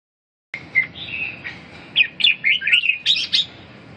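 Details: Red-whiskered bulbul singing: after a brief silence, a run of bright, warbled whistled phrases, short notes sliding up and down, delivered in quick bursts with steady low background hum.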